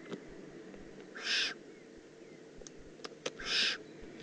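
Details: Two rough, airy hisses from a young Eurasian eagle-owl in the Eifel, 18 June 2016, spaced a little over two seconds apart, with a few faint clicks between them.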